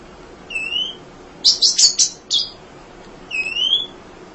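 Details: Munia (emprit) singing for songbird training: a thin rising whistle, then a burst of harsh buzzy chatter, and another thin whistle, all high-pitched against a quiet background.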